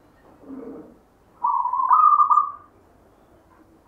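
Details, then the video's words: Zebra dove, a local bird of natural 'gayer' voice left by a grandfather, sings one long rolling coo that swells, rises slightly and wavers in a trill before fading, preceded by a faint low murmur. "perkutut LOKAL alam GAYER tinggalan SIMBAH suara irama"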